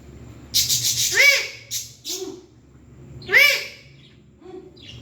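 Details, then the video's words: Pet parrot talking in short arched, nasal syllables: a quick chattering phrase, two clipped notes, then a single loud rising-falling call after a pause, with faint soft chirps at the end. "Parrot Talking"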